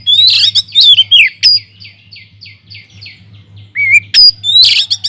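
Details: Oriental magpie-robin singing vigorously inside an aviary, meant to lure others into song: loud descending whistles, then a soft run of repeated falling notes about three per second, a wavering whistle, and a rich final burst.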